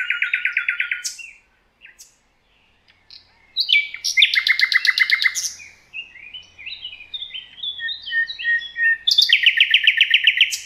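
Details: Thrush nightingale, Rawka river valley, Poland, delivering powerful song: fast repeated clicking rattles, a rising loud chattering phrase, jumbled varied notes and a closing rapid series, with faint low rumble beneath.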